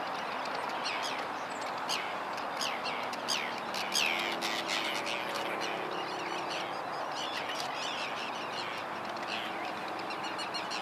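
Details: Forster's tern calling on 12 May 2011, recorded with a Panasonic GH2 camera: a scattered series of short, sharp, downslurred notes at irregular intervals over steady broadband background noise.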